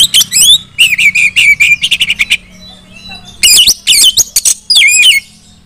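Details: Female Oriental magpie-robin calling other magpie-robins to sing: quick series of harsh chattering notes, some level whistled tones, then looping scratchy phrases, all in rapid bursts.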